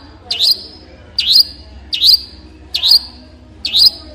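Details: Long-tailed shrike repeating a single piercing squeaky note about every eight-tenths of a second, with quiet gaps between.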